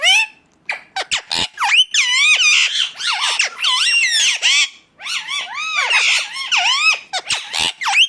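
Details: Indian ringneck parakeet, pet kept as a talking parrot, giving loud harsh squawks and rapid up-and-down whistled notes in dense overlapping bursts, some clicks between phrases, brief gaps near one and five seconds.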